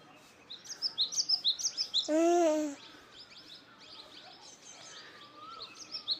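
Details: Chirping birds: runs of fast high chirps, interrupted by a loud, brief tonal blare about two seconds in, then softer chirps and a gliding whistle over constant background noise.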